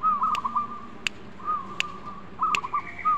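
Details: Zebra dove, kept as a songbird, giving soft level whistled cooing phrases that repeat in short bursts, with sharp clicking taps between them and a low background hum.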